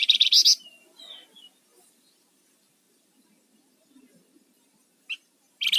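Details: Rufous-fronted laughingthrush, 'ngebren' and 'nyiul' song used as a lure and master for training: a loud, rasping, pulsed buzz, then thin descending whistled notes, a lone sharp chip, and the buzz starting again.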